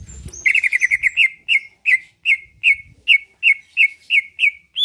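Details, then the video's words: Caged greater green leafbird singing to draw a response and fighting: a quick stuttering burst of chirps, then a steady series of sharp slurred whistles roughly three per second. "Cucak ijo lain liat dan dengar kicauannya bakal nyaut+gacor+tarung"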